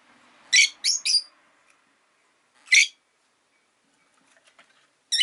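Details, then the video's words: Rosy-faced lovebird chirping, with the noise of a town in the background: three sharp, harsh chirps in quick succession, a single chirp about two seconds later, and another starting at the very end, with quiet gaps between. "Lovebird Chirping Sounds"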